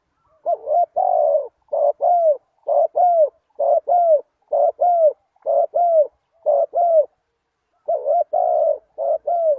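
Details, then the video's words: Spotted dove calling as a lure for wild doves: a long, steady series of paired, hollow, falling coos, roughly one pair per second, with only a brief pause near the end. "Chim cu gáy chiêu kích mồi tập bổi nhanh nổi hiệu quả"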